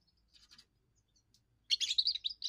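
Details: Young European goldfinch giving its first song, used to defend territory and attract females: faint twittering notes, then a dense burst of bright, jangling, tinkling phrases near the end.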